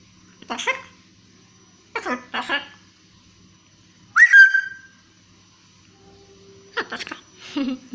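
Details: A pet blue-and-yellow macaw mimics speech in short, rasping, word-like bursts, with one bright whistle that rises and then levels off, while a person coaxes it for a high five and scolds it in between.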